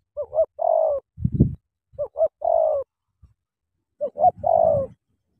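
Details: Cà Mau spotted dove, a "kèo thổ" bird up against a wild "bổi" and fighting. The phrase repeats three times: two quick rising notes, then a long, falling, throaty coo. A dull thud sounds after the first phrase.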